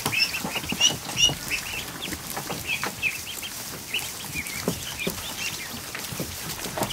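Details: A grand total of 109 ducklings, hatched from 176 eggs, in a kiddie pool in a barn during the afternoon; sharp high peeps repeat in quick bursts over constant splashing.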